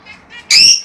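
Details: A lovebird sound intended to encourage mating: faint chirps lead into a single sharp, strident screech that fades out.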